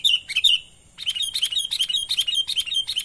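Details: Natural sooty-headed bulbul call for luring wild birds, a lively run of high, bubbly chirps repeated rapidly, about two or three per second, after a short opening pair of notes and a brief pause.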